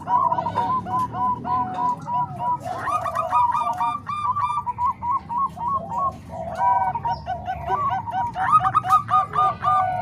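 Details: Zebra doves (perkutut), a combined recording of Bangkok and Cemani Kolbuntet types used as a tutor for training other doves. Several birds overlap in fast, staccato bursts of mid-pitched cooing notes, with a throaty, rolling quality throughout.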